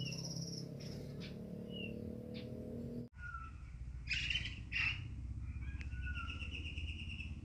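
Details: A captive Sunda robin that has just mated gives short, thin chirps and a few scratchy bursts near mid-high pitch, spaced irregularly over a steady low hum.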